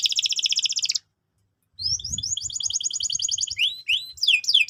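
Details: Canary lure song for training young birds. A loud, rapid buzzy trill stops abruptly, and after a short pause comes a long run of fast, even chirped notes. Swooping whistles follow, with faint low thumps in the background.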